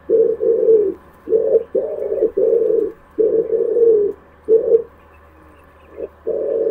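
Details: Pigeon cooing in a long string of low, rolling, throaty phrases, with a soft background hum throughout.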